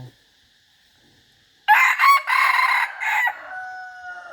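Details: Decoy chicken giving a loud, ragged crow in several connected bursts that ends in a long, fading drawn-out tail. Near-silence comes before it.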